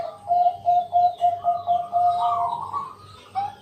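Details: Zebra dove, Bangkok strain, night-time lure song meant to prompt other doves to sing: a quick string of short, even cooing notes running into a longer warbling coo, with a faint low hum behind.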